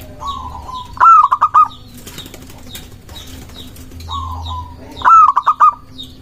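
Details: Zebra dove, local type, singing a luring song meant to make rivals respond: a drawn-out coo then a quick rolling series of short coos, heard twice, with low background hum and distant small-bird chirps.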